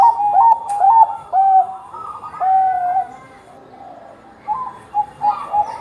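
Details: Bangkok-type zebra dove (perkutut bangkok) singing actively, used as a lure to make other doves sing; mellow, stuttering coos in short bursts, with a quieter, softer stretch midway and louder coos returning near the end.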